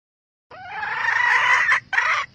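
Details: A wild red junglefowl hen, used to stimulate roosters to call, gives a loud, harsh, drawn-out call lasting over a second, then a shorter clipped second note.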